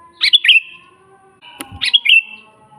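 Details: Sooty-headed bulbul singing strongly, recorded as a master for teaching other birds: two bubbly whistled phrases of quick notes with a fading tail, a sharp click between them, faint humming tones underneath.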